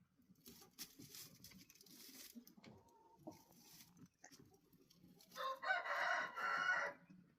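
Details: Rooster giving one loud, harsh, harmonic-rich crow of about one and a half seconds near the end, preceded by several seconds of quiet low murmuring and scattered faint clicks.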